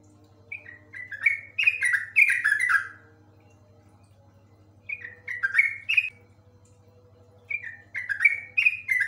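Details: Yellow-vented bulbul singing in the long, full ropel style: three bursts of bubbly, descending chattered notes, each run about two seconds, separated by pauses, over a steady low electrical hum.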